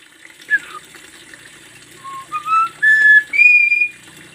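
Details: A captive Javan myna, recorded as a master song for lure and tutoring, gives a short run of clear whistles, a downslurred note, then steady rising and level whistles stepping upward over about four seconds, with faint background hiss.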